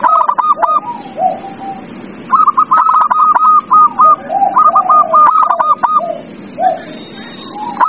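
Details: Zebra dove song used to stir a reluctant bird to sing: rattling strings of short bouncing coo notes in quick bursts, mixed with lower wavering coos from other doves outdoors.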